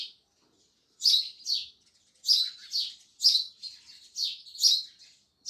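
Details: Sparrows chirping loudly: short, bright, high chirps come in quick pairs and clusters after a brief silence, about two per second, on a quiet background.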